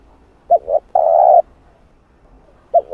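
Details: Spotted dove luring call for decoy training, a short double coo into a long steady coo, followed by the start of another phrase.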